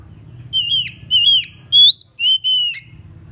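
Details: Decoy oriental magpie-robin, known locally as murai kampung or murai cacing, singing to lure a rival. Five loud, clear whistled notes with falling and upswept slurs, spaced about half a second apart, over a quiet low rumble.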